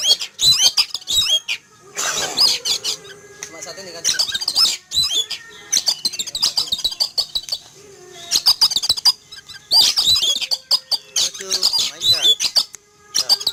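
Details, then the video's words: Frightened by a flying eagle, a caged Oriental magpie-robin sunning in a yard in the morning bursts into loud, restless calling: high whistles, buzzy rasps and rapid chatter in repeated bursts separated by short pauses. "Kicau Burung Kacer Ketakutan Melihat Burung Elang Terbang"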